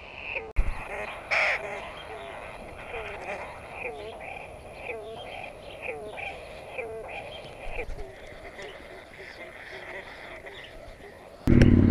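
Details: New Zealand kingfisher (kōtare, sacred kingfisher) chicks in the nest begging as a parent feeds them mice: fast continuous stream of short rasping, squeaky notes, several per second, with handling clatter near the end.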